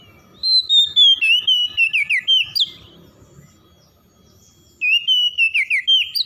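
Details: An oriental magpie-robin's morning song, intended to help stressed birds recover: a long, loud run of ringing whistles falling and warbling in quick pulses, a pause, then a second whistled phrase.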